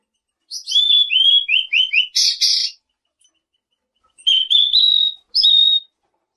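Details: Selendang biru bird with a rapid run of five short falling whistled notes, then a burst of harsh broadband chatter; after a pause, rising whistled notes and a short level whistle follow.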